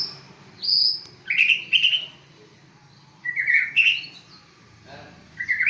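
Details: White-rumped shama of the Aceh type, a contest achiever, sings separated bursts of rich, loud whistles and high bright notes, with quiet gaps between phrases.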